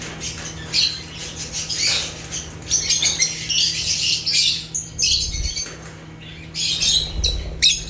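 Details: Chattering African lovebirds (Agapornis), a dense run of shrill, squeaky chirps and rasping notes with brief pauses, plus a low constant hum and faint low thumps.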